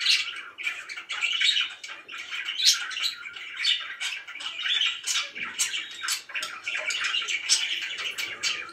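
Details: Very happy pet budgies chatter in a lively, uneven flow of squeaky chirps and scratchy notes, swelling and fading in short bursts.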